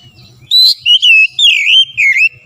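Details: Oriental magpie-robin singing strongly: a short run of clear, loud whistles, some rising and others dipping in a wavering curve, in about five linked notes over a faint low background hum.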